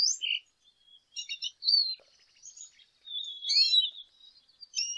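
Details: Soft, scattered song of a lesser goldfinch: thin high slurred whistles and short chirp clusters come in irregular bursts with quiet gaps between them.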